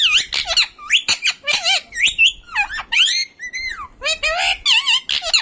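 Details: A household talking parrot gives a busy stream of squeaky, wobbling, whistled and speech-like notes. Pitch rises and falls constantly, with rough squawky bursts mixed in.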